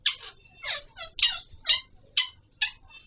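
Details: Alexandrine parakeet, known locally as Pahari or Kashmiri parrot, during mating: loud harsh screeching calls with rich harmonics, about six rasping bursts spaced roughly half a second apart, clean background.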